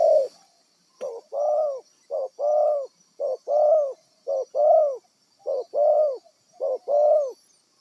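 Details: Wild-caught spotted dove used as a trapping decoy, calling a steady series of paired coos, a clipped note then a fuller coo, about seven pairs in eight seconds, over a faint steady hiss.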